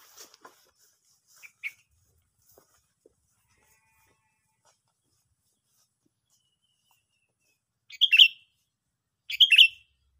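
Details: Sooty-headed bulbul giving two short, loud chattering calls near the end after long near-silence, with a few faint ticks earlier.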